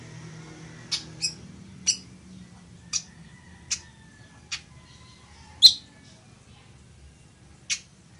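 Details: Village weaver, locally chichiguao, for teaching birds to sing: a string of high chips, irregularly spaced, one notably louder near the end, with a low hum in the opening seconds.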